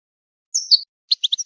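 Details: Goldfinch song phrase used to tutor chicks and songbirds: a drawn-out, sliding high whistle followed after a pause by four short, bright chirps, in a quiet setting.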